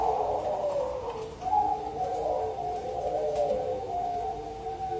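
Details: Zebra dove, local and Bangkok birds, singing actively as a lure song for other doves: mid-pitched cooing phrases in overlapping bands, continuous and fluttering, with a faint indoor hum underneath.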